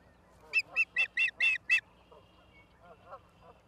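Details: Osprey at the nest in Charlo, Montana, on 17 August 2023 at 16:04, filmed by a live nest camera: six loud, shrill, piercing notes in quick succession over about a second, followed by faint, lower chattering in the background.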